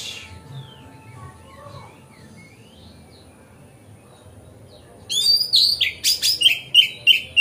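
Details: Magpie-robin song played to rouse other magpie-robins into tail-spreading. Near silence with faint far whistles gives way after five seconds to a loud, rapid series of sharp chips and whistled notes, roughly three per second.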